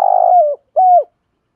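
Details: Spotted dove coos to lure wild doves and make them call back. Two low, smooth cooing notes: the first opens with a rapid flutter, then settles into a steady, slightly falling tone; after a brief gap comes a shorter, even coo. The background is clean and silent.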